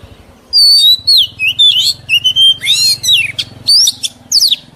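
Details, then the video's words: Oriental magpie-robin, an old wild-caught bird, singing a lively sequence of sweet whistles, slurred rising and falling notes and harsher rasping bursts over a low engine-like hum; recorded for training young birds. "Tiếng Chòe Than Già Rừng CHUẨN HAY DÙNG ép luyện giọng Chim Non"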